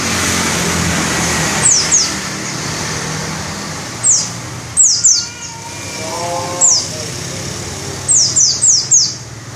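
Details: Pleci or white-eye singing with open beak: scattered sharp, very high falling whistles in small groups of two to four, with a faint lower warbling phrase midway and constant low rumble behind.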